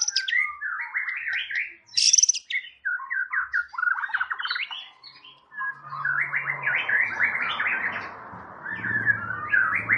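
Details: Champion competition white-rumped shama pouring out tembakan: long runs of varied, jerky whistled notes and rapid chatter with a high squeal, continuing over rising background rustle and low hum.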